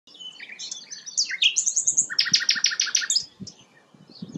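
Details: Sikatan londo flycatcher singing energetically (gacor), a bird used as tutor song for magpie-robins: varied high whistled notes, then a dense run of rapid repeated buzzy chirps at the middle, ending in softer scattered tweets.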